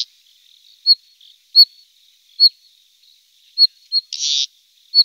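Moussier's redstart giving short, high, thin notes spaced under a second apart, with one brief harsh, scratchy burst near the end.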